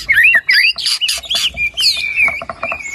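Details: White-rumped shama singing loudly in 'gacor' style with mixed 'isian' phrases: quick twisting whistles, scratchy buzzes and a run of short repeated chips.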